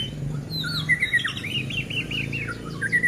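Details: White-rumped shama song used as a lure to provoke other shamas into singing and agitation: a run of looping, slurred whistled notes repeated about five times in quick succession, over background music and a low hum.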